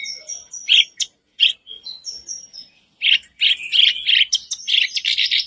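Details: Kerak basi, caged, singing as bait for a silent bird: sparse high whistles and short harsh chips at first, then a dense, loud, grating chatter toward the end.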